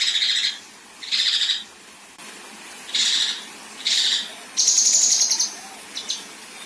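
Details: Female Kinoi delivering 'besetan' and 'tembakan kasar': four separate scratchy rasping bursts, then a longer, higher, rapidly pulsed buzz near the end, and a couple of short chips to finish.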